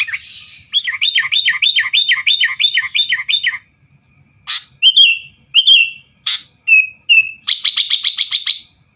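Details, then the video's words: Sooty-headed bulbul in full, vigorous song meant to provoke rival birds into singing: a run of about eight rapid rolling, warbled phrases, then sharp chirps and short whistled notes, ending in a fast buzzy trill. "burung kutilang gacor bikin lawan lngsung emosi dan ikut gacor"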